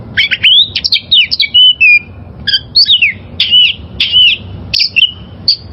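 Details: Wild-caught oriental magpie-robin singing, used as a master song to train caged birds: rapid run of bright whistled notes, slurred downward and upward sweeps, in short lively phrases repeated about every half second.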